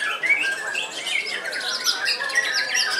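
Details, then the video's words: White-rumped shama kept in a cage, around 15 years old and still in active song, delivers a short burst of bright slurred whistles and scratchy high chips, tumbling rapidly with little pause. "BURUNG MURAI TERTUA YANG MASIH AKTIF GANTANG"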